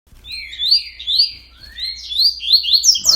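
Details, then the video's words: Caged coleiro recorded at 06:30 in the morning on 31 October, singing a fast run of bright rising and falling whistled notes, quickening toward the end, with a short voice at the close. "Coleiro 30 cantos aborto da natureza"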